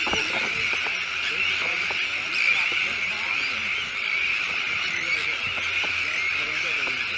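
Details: Crowded Sandwich tern breeding colony, chicks present, on a freshly made shell island at De Putten in the Netherlands: a steady wall of high, rasping calls with brief clicks and faint lower murmurs.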